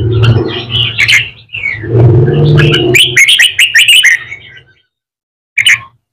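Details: A young wild-caught Red-whiskered bulbul in training sings bright, rapid warbled phrases, then a quick run of sharp whistled notes, a pause, and one last short burst over a low hum.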